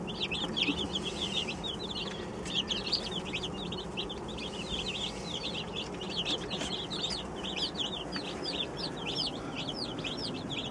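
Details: Twenty-seven newly arrived baby chickens peeping together; dense overlapping high, downward-slurred cheeps repeated rapidly without pause over a steady background hum.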